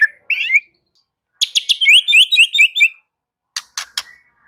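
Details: White-rumped shama giving a short rising whistle, then a rapid series of sharp, slurred high notes in a trill lasting about a second and a half, followed by a couple of harsh clicks.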